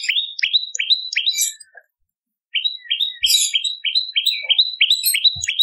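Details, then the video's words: Lively Bar-winged prinia, recorded as a training and lure sound: a quick run of bright upward-flicking notes breaks off into a short silence, then resumes as a denser chattering series with a few buzzy overtones. "Masteran Prenjak Lumut ! Variasi Suara For Murai C Ijo Cungko / Pancingan Prenjak Gacor /Suara Pikat"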